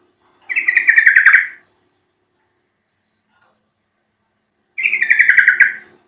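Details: Played to get birds singing, Yellow-vented Bulbul calls: a loud, pulsing chattery phrase about a second long, repeated after a silence of some three seconds.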